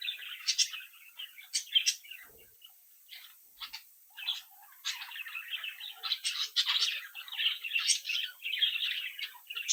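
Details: A captive brood of young budgerigars, kept and bred at home, chirping, tweeting, singing and mimicking while playing together: scratchy, twittering warble in uneven bursts, brief gaps early on, then near-continuous busy chatter in the second half, with a faint steady high hiss.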